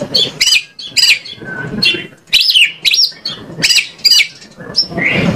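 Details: White-rumped shama singing as a lure to set off other shamas: quick run of clear whistles and swooping notes with harsher chattering bits, phrases packed close together, some low background noise.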